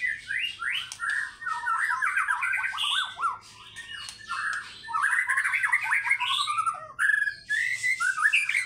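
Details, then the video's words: White-rumped shama song serving as a lure to get fighter birds singing, with ngekek and mbeset material; dense rapid trills and chattering runs of descending notes in long energetic bursts, one short quieter gap midway. "PANCINGAN MURAIBATU AGAR FIGHTER GACOR PAGI SORE MALAM FUEL MATERI NGEKEK MBESET"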